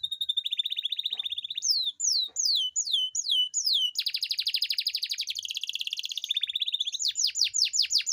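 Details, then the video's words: Canary in a long rolling song for encouraging lazy canaries: a fast buzzy trill around one pitch, then rising whistled slurs, a dense rattling roll, and a closing series of quick descending sweeps. "Pancingan kenari gacor ngerol panjang dan pancingan kenari malas bunyi pasti"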